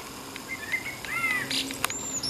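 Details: Common blackbird singing on a July 16 evening in Denmark. Its song has trills and runs. Soft, fluted whistles slide and arch through a short phrase, followed by a brief higher scratchy burst, over a steady background hiss.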